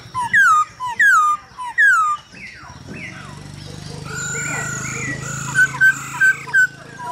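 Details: Male hwamei song stirred by a female's calls, played for training birds: three loud falling whistles, then softer phrases and a run of short, bright repeated notes over low background hum.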